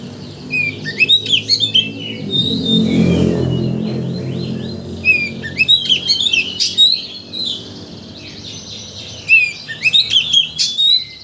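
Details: White-rumped shama lure song used to rouse a bird's emotions so it sings all its learned phrases: clusters of quick chirps and whistled slurs in several bursts, separated by a short lull with a low hum.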